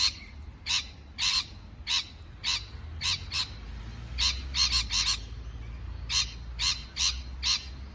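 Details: Parrot giving short, harsh, broadband chirps, singly and in quick pairs, about every half second to a second, over a low background rumble.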